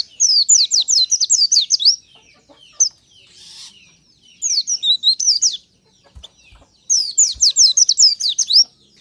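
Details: White-eye singing in the morning, a natural recording used as a lure song: three bursts of rapid, high, thin chirps, each about two seconds long and made of quick downward sweeps, separated by short quiet gaps.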